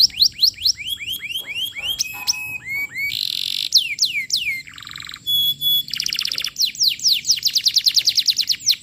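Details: Varied canary lure song for training young canaries: rows of quick falling whistles, buzzy and harsh rolled notes, a nasal low buzz, a pure steady tone, then fast trills of sweeping notes.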